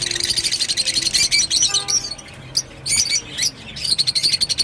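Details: Rosy-faced lovebird singing a fast, continuous stream of high, shrill twittering notes with a few squeaky, rising chirps and brief breaks.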